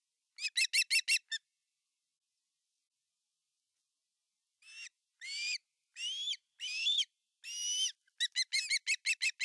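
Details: Male osprey with a large fish at a Finnish nest, 18 August 2020; a quick burst of piping notes, a long silence, then drawn whistled calls and another rapid string of chirps.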